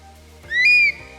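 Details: Stone curlew, also called thick knee, Norfolk plover and wailing heath chicken for its eerie curlew-like calls at night: one clear wailing whistle that rises and then holds steady for about half a second, over a faint low steady hum.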